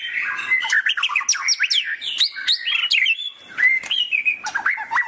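White-rumped shama singing a fast, rich medley of clear whistles, slurred rising and falling notes and sharp chips, packed tightly with almost no pauses.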